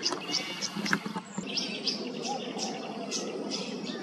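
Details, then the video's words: A Tawny Grassbird gives short, bright, high chipping notes about twice a second in Queensland wetland, over a dense murmur of background sound and other faint bird notes. "The most pristine sound of the Tawny Grassbird's call"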